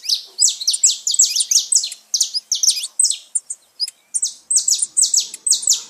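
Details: Saffron finch song played to stimulate pet birds: rapid series of sharp, high chirped notes in short bursts, dense and continuous with a brief pause near the four-second mark.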